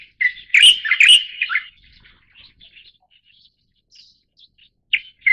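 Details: {'caption': 'Light-vented Bulbul showing leucism, subspecies Pycnonotus sinensis formosae: one loud burst of rapid, jumbled whistled notes, then a string of soft, scattered chips, ending with a sharp note.'}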